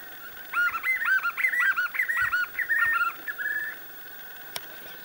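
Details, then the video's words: A pair of white-eared puffbirds (Nystalus chacuru) on a rural road in Lorena, São Paulo, give a synchronized duet: a rapid run of overlapping, arched, whistled notes for about three seconds, then trailing off. "João Bobo (Nystalus chacuru) - Vocalização do Casal"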